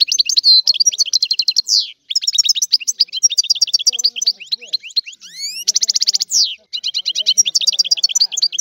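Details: Energetic European goldfinch song of rapid tinkling chirps and rolling trills, broken by a couple of brief gaps and a harsh buzzy burst midway, then continuing in quick chattering phrases.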